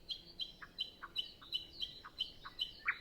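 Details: Nightingale singing in windless early morning before sunrise, other birds still silent; a repeated phrase alternating high clipped notes with lower short strokes, about three per second, recorded on a Zoom F6 with Sennheiser MKH 8040.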